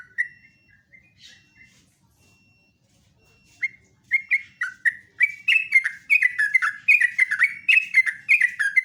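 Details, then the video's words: Morning song of a sooty-headed bulbul: a few soft notes and a faint steady tone, then from the middle a dense, loud, rapid chatter of bubbly, rising and falling phrases that builds steadily to the end. "KICAUAN TRUCUK PALING MERDU"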